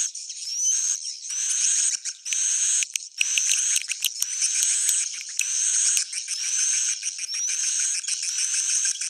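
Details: Swiftlet roosting call for attracting birds: steady stream of dry, buzzy chirps in roughly second-long phrases, with small rising whistles and scattered clicking notes.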